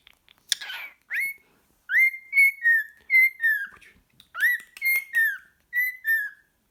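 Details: Singing pet cockatiel in a small room: a harsh chirp, then a series of clear whistled notes, some rising and others falling, in paired phrases with short pauses.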